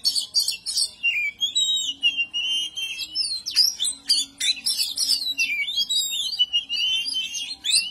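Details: Ngobra display of an oriental magpie-robin (kacer), provoking rivals: long sweeping whistles and downslurred notes mixed with rapid clicky chirps and buzzy bursts, delivered without break for about eight seconds.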